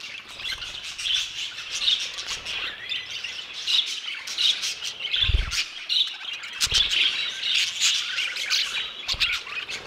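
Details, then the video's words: Flock of budgerigars kept in an aviary, harsh squawks and chattering bursts repeated irregularly, mixed with sharp clicks and a few low thumps, possibly wing or perch knocks. "MI ANTIGUO AVIARIO DE PERIQUITOS"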